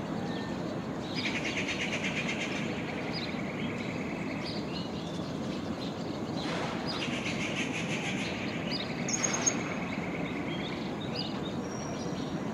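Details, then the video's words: Common babbler (Argya caudata) gives bursts of rapid, squeaky chattering notes in two runs of about three seconds each, over a steady low rumble of distant traffic or wind. "Common babbler (Argya caudata)"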